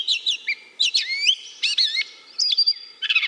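Gray Catbird song: a jumbled run of short, squeaky and mewing phrases, each different, with quick rising and falling notes. No other sounds are heard.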